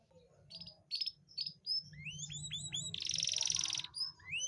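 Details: Canary song intended to bring hesitant females into breeding mood: short chipped notes and rising chirps, then a loud dense buzzy trill, over a low background hum.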